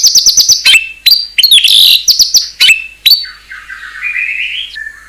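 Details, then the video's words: White-rumped shama isian song: a quick series of short piping notes, sharp chips, then a long, smooth, wavering whistle that rises gradually before ending. "ISIAN MEWAH MURAI BATU_PALING TOP SUARA SANGAR"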